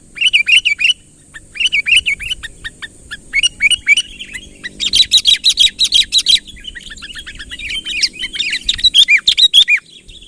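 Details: Sooty-headed bulbul calling eagerly for a rival to approach; groups of bouncing whistled notes, then a loud run of rapid, evenly pulsed chirps, and more wavering phrases after it.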